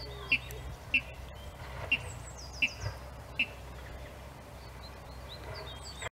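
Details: A water rail singing in April 2018 gives five sharp, high 'kip' notes at an uneven pace, about one a second, over a low background rumble with faint chirps from other birds.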